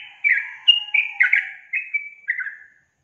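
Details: Sooty-headed bulbul (trucukan) in energetic gacor song: a quick run of about seven bright, bubbly whistled notes, stepping between higher and lower pitches over a faint lower whistle, ending cleanly.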